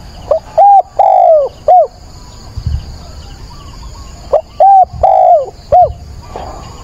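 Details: Decoy spotted dove calling at dawn on 22 October to stir up wild doves: two full four-note coo phrases about three and a half seconds apart, each ending in a long descending coo and short tail note, quiet high whine throughout.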